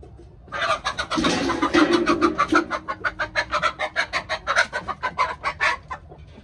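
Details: Hens inspecting their new coops, giving a rapid run of short, harsh clucks, about three per second, loud and steady for several seconds.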